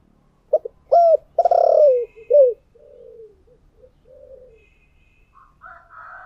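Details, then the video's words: Decoy spotted dove in the 'giọng thổ' voice style giving a loud phrase of short, hooked coos and one long throaty coo. Softer, lower coos follow, and higher distant notes come at the end. "Tiếng Chim Cu Mồi Giọng Thổ Đặc Sắc"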